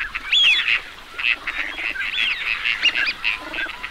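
Teal give a busy run of high, chirping, whistled calls, several birds overlapping in quick succession with no other clear sounds.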